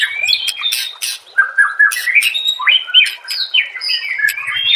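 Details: Training master song of a white-rumped shama: a dense, rambling warble of whistled slurs that rise and fall, mixed with scratchy chatter and high ticking notes, continuous throughout.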